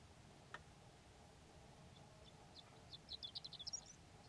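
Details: Horned lark singing on a warm, sunny spring day on Antelope Island: a brief burst of high, thin, tinkling notes tumbling quickly together near the end, over a faint steady background hiss.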